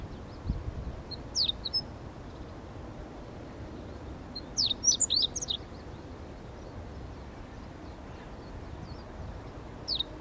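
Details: Meadow bunting, possibly a young bird singing weakly: short bursts of high, thin chirping notes around one to five seconds in, with a faint note near the end, over steady low background noise.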